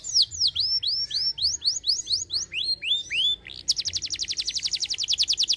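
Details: Canary singing, used to coax other birds into song: a string of loud descending whistled sweeps about four a second, then a sudden switch to a rapid, very high buzzing trill.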